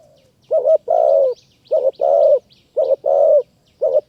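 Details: Wild spotted dove in high forest of Kanchanaburi, Thailand, answering a decoy bird. It repeats a low mellow phrase, a clipped double hoot and then a long falling coo, about once a second. Faint high bird twitters sound behind it.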